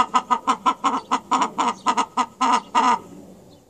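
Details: Chickens uttering a loud burst of about fourteen harsh clucks, the last few longer and drawn out, ending abruptly and leaving near silence.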